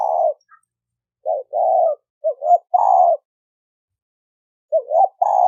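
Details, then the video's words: Lure cooing of a spotted dove in 'thổ sấm đồng' style, meant to attract males, females and wild birds: deep, mellow coo phrases of short clipped notes followed by longer level coos, with silent pauses between. "Tiếng chim cu gáy thổ sấm đồng gù gáy kích trống kích mái kích bổi"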